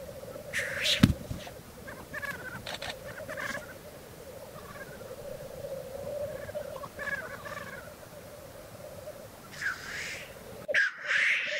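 Black grouse at a lek: a continuous low, dove-like bubbling chorus, broken every second or two by harsh hissing sneezes from several males.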